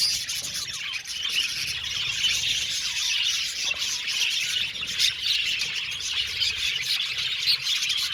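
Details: An aviary of budgerigars fills the air with rapid chirping: continuous high, scratchy twitters and occasional louder sharp tweets from the crowded flock.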